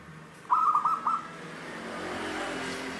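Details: Single rapid phrase of clear, fluted coos from a local wild zebra dove (perkutut lokal alam, 'Cristal tembus' voice), followed by a swelling rumble resembling a passing vehicle.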